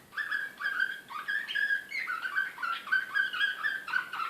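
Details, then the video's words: Canary singing Serbian slavujar song, Belgrade, 2016. Lower, smoother whistled notes repeat in a steady, flute-like sequence of short tours, some slurred upward, with little harshness. "SLAVUJAR SRPSKI BEOGRAD 2016"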